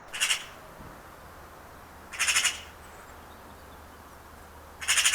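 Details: Eurasian magpie giving three short, harsh, rasping bursts spaced about two seconds apart, each a quick grating chack over a quiet background.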